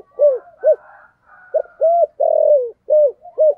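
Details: Spotted dove kept as a decoy for luring wild doves, singing the 'thổ' style call: about seven short, arched, mellow coos in quick succession, one drawn out longer, with faint softer notes between them.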